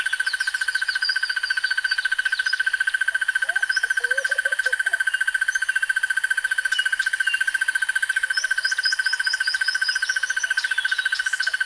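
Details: Unbroken buzzy trill from a crested barbet, fast, evenly pulsed and steady in pitch for the whole stretch. Other small birds chirp and twitter above it, with a brief low warble partway through.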